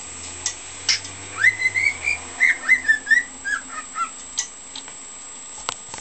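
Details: A pet cockatiel whistles from its repertoire, including the opening of a songbird tune it is practising, "hokekyo" and "Bibbidi-Bobbidi-Boo": clear, slightly wavering notes rising and stepping up and down over about three seconds, with low hum and clicks.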